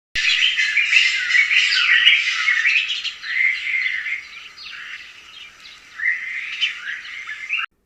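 Retz's helmetshrikes give a busy chorus of harsh, chattering and rolling calls mixed with whistled notes, fading in the middle then rising again toward the end.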